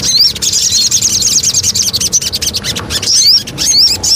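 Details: Javan cochoa, known as sogon, in a lure recording: a dense high chattering trill of quick notes, broken near the end by sharp clicks and a few bright rising whistles.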